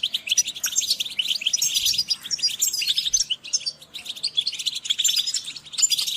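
European goldfinches calling together, a dense, continuous chatter of bright, liquid twitters and tinkling notes overlapping throughout, with no pauses.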